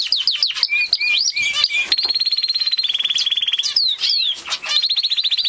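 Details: Gloster canary singing: quick rising chirps, then long rapid rolls on a steady high pitch, a burst of sharp upward sweeps, and another fast rattling trill at the end.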